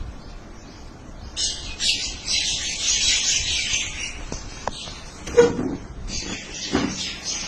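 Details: Birds talking with each other in a dense wash of high twittering chirps that starts after a quiet opening, broken by a few sharp clicks and a short lower call near the end.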